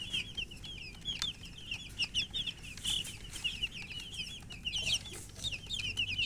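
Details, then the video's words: Domestic chicks, described as thirsty, keep up an unbroken stream of high, quavering peeps from many birds at once, with faint tapping noises throughout. "Murgi chicks Chirping sounds with thirst for drink water"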